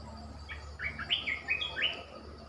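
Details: Red-whiskered bulbul kept as a caged decoy bird, a short phrase of five or six clear slurred whistles, rising and dipping, over a steady low background hum.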